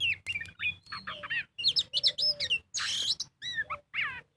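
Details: Lure recording of an Oriental magpie-robin singing gacor in ngobra style: short whistled notes and bent slurs, a burst of harsh scratchy noise near the middle, then clear down-slurred whistles, with a background hum.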